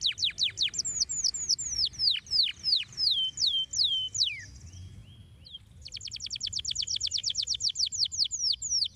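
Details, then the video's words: Canary song for stimulating canaries: descending whistled notes in quick sequence, a short pause with soft tones, then a long rapid trill of sweeping notes. "Como estimular rapidamente o som do canário para que você seja diligente no chilrear!"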